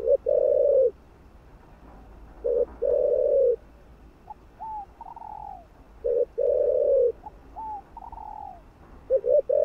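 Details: Repeated cooing of a spotted dove meant to stimulate other doves: deep, rough coo phrases with a stuttered start alternate with higher, drawn-out descending notes, repeated steadily through the clip.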